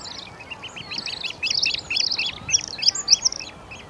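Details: Bluethroat, subspecies cyanecula, in song at Uitkerkse Polder, Belgium, April 2017: a lively run of high, sharp chirps repeated rapidly and fairly evenly, growing louder and more ringing toward the end, with soft background noise.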